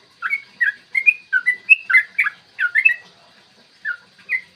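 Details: Lure song of a yellow-vented bulbul, used so bulbuls sing and become agitated for fighting. Liquid, chortling whistles in a fast run of about ten notes, a pause, then two final phrases; a soft steady hum underneath.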